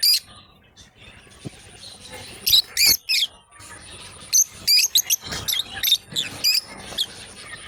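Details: Pair of lovebirds playing together, giving short high-pitched chirps in quick irregular bursts, several notes clustered, with a faint steady high whine in the background.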